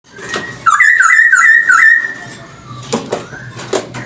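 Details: Chinese hwamei song, offered as a lure recording: a brief low note, then a run of loud, rapid, looping whistled notes repeated about three times a second, followed by softer clicks and short chirps.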